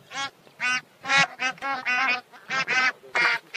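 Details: Bar-headed goose giving loud, rich nasal honks in a steady series, roughly three per second, with calls overlapping in places.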